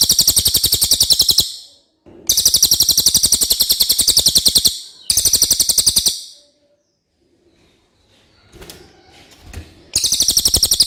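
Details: Common iora with a clear voice, delivering repeated bursts of fast, high chattering notes, each burst a few seconds long; a brief faint scratchy noise fills one pause.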